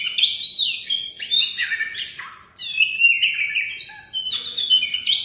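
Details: Singing oriental magpie-robin, the first-place contest champion, delivering loud varied whistles, rising and falling slurs and buzzy notes in phrases broken by short gaps.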